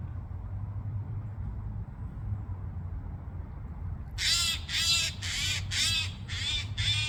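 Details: After four seconds of only a low steady rumble, a Eurasian jay bursts into six harsh, raspy screeches in quick succession, each short and coarse, spaced roughly half a second apart.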